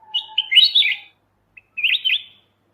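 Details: Bulbul, known locally as kutilang emas mata putih, used as a master recording for training songbirds: two short bursts of bright, warbling chattered notes, the first preceded by a thin low whistle, with silence between.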